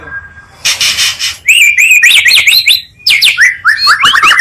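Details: Two Oriental magpie-robin songs blended as a provoking lure for kept birds: a short rasping burst, then strong repeated upslurred whistles in quick series, a short gap, and more sharp rising whistled notes.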